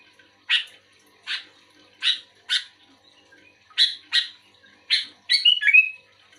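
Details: Active sooty-headed bulbul responding to another, untrained bulbul that is reluctant to sing: a series of short, harsh chirped notes, about eight in five seconds and some in pairs, ending in a quick warbled whistle. Otherwise quiet background.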